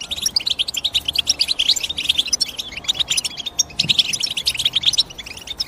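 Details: European goldfinch calling with a fast, sparkling chatter of high chirps, steady throughout except for a short gap near the end, then resuming.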